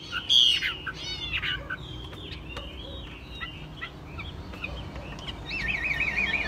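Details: Caged Chinese hwamei, described as mostly tame, giving scattered loud whistled notes and sweeping slurs, with a burst of rapid trilled notes near the end over a low background hum.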